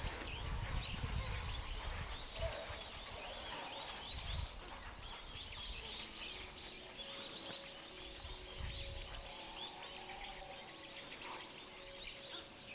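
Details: Numerous grey herons at a breeding colony in the Hokkaido zone of Kushiro City Zoo, 23 March 2022 around midday, heard from afar; a continuous chorus of rough, overlapping croaking calls, with a faint steady tone late on and low rumble.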